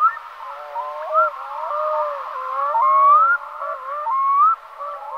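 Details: Black-throated Loon sounding a string of wailing, upslurred whistled calls, each climbing steeply, repeated about once a second over lower wavering notes.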